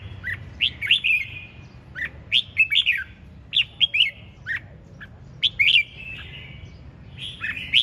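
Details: Red-whiskered bulbul, called chiến binh, in a 'ché chẻ' singing style: short bright slurred whistled notes, rising and falling, given in bursts with brief gaps, over faint low background hum.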